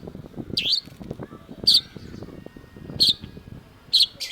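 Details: Cendet (long-tailed shrike) in a masteran recording: four loud, rasping, buzzy notes at uneven intervals over a low murmur of background noise.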